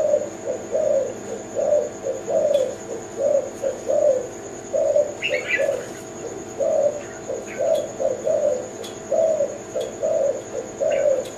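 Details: Kelantan-type zebra dove singing a run of short, mellow, low coos, roughly one per second and slightly irregular, with a few faint chirps and a constant thin high tone in the background.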